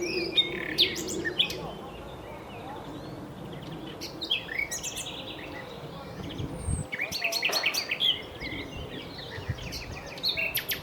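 Common nightingale song: bursts of sharp, high chirps and quick trills in uneven phrases, with steady rustling background noise.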